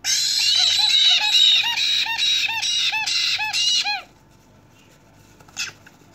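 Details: Black-headed caique parrot chicks, hand-reared from a few days old, begging while being hand-fed: loud, raspy, wheezing cries pulsing about twice a second for four seconds, then stopping, followed by near silence and one brief soft squeak.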